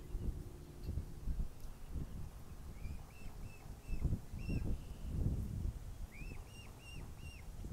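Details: Mute swan cygnet beside its father at Plymouth, Massachusetts, on 21 June 2020, calling for its mother and siblings who moved out of range. Thin arched whistled peeps in short runs of three or four, over a low rumbling background.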